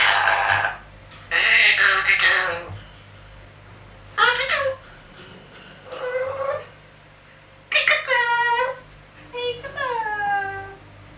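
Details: Captive African grey parrot indoors mimicking sounds, here a series of harsh noisy bursts followed by rapid repeated harmonic whistles that sweep downward, like mimicked shooting noises, with pauses between bursts.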